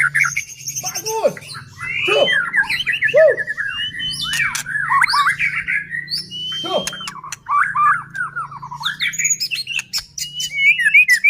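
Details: White-rumped shama singing to provoke other shamas: long continuous stream of varied whistles, rapid twittering runs and harsh notes, with a low steady hum underneath.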